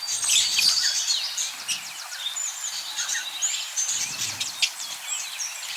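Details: Budgerigar parakeets chattering in a dense, continuous stream of rapid high chirps, squeaks and scratchy warbles that overlap throughout, with a few faint low rumbles around the fourth second.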